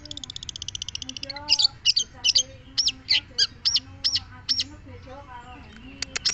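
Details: Long-tailed shrike opening with a quick even high trill, then a steady string of sharp, buzzy high notes roughly twice a second, over a low hum.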